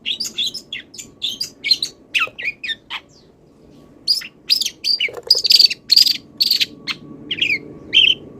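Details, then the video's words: Long-tailed shrike in moult delivering song full of wild bird mimicry: quick chattering phrases with bright, sharp whistled notes, and a brief pause midway. "MASTERAN CENDET FULL ISIAN BURUNG LIAR ● BELUM SELESAI MABUNG UDAH GA SABAR PENGEN GACOR"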